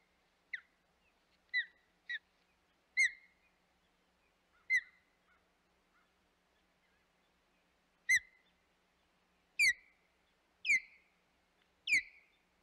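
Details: Osprey at the Hog Island nest on 25 May 2021: scattered, fairly quiet whistled cheeps with long gaps, several sliding down, more frequent toward the end.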